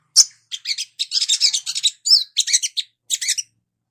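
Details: Sunbird in early training, its song used to coax quick twittering. Clusters of high, chattering notes in short bursts, with one clear rising whistle in the middle.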